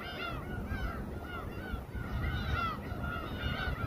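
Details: Gulls calling in chorus over a boat where raw fish is sliced, at Samgilpo harbour, Daesan-eup, Seosan, South Chungcheong, Korea; many overlapping mewing, arched cries, with steady low engine rumble underneath.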